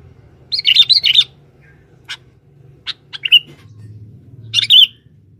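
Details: Male sooty-headed bulbul used as a trapping lure in the forest: a quick run of bright, bubbling chirps, then scattered sharp single notes and a final warbled burst, with a low hum underneath.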